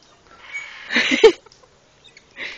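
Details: A cuddly, affectionate red lory at a zoo near Oviedo, Asturias, Spain, gives one brief, harsh, chattering squawk lasting under a second, then a short soft rasp.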